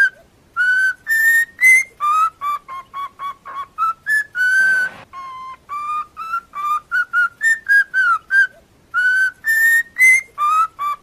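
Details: Cockatiel melody for song training: a quick string of short, clear, harmonic-rich whistled notes at varying pitches, with brief pauses between groups and one longer held note midway.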